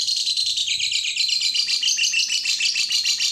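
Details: Lovebird song meant to provoke other lovebirds into singing: a fast, dense chatter of buzzy high chirps repeated rapidly and steadily throughout.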